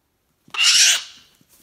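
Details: A single pet cockatoo lets out one brief, harsh, hissing screech lasting about half a second that fades at the end, with faint soft thumps around it in a quiet room.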